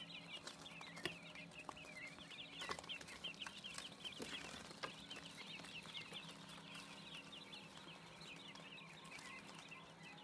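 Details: Quail chicks, six days old, peeping constantly in a crowded chorus of short, high, slightly rising chirps over a faint background hum.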